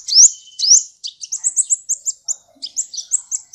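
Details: Champion competition sunbird from a 2014 international contest giving two long rising high whistles, then a fast, even string of short, sharp, very high chips at about two per second.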